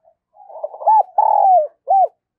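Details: Spotted dove call used as a decoy to lure wild doves: a soft, low murmur of coos builds into a mellow arched note, then a long level hoot sliding downward, and ends with one short rounded coo, with no other sounds.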